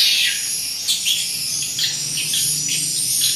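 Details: Swiftlets, roughly 200 birds, inside a swiftlet house in Pasangkayu. A dense, high chorus of overlapping sharp chirps and twitters, with bursts every second or so over a steady hiss.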